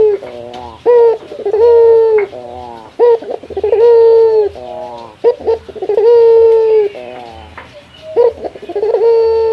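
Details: Male local Barbary dove calling a rival: repeated phrases of a rolling, stuttered opening and a long, even coo, about four cycles, with a faint room echo.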